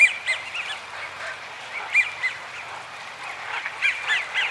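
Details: American wigeon, a rare winter visitor, at Donggang, Taiwan, on 30 November 2020, give breathy, rising-and-falling whistles in short two- and three-note bursts, several birds overlapping, over a soft murmur of other ducks.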